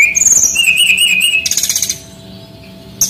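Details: Male Bali brown-chested jungle flycatcher, used to train young birds: a sweet warbled phrase joined by a very high whistle, then a quick pulsed run of notes, then near silence under a steady hum.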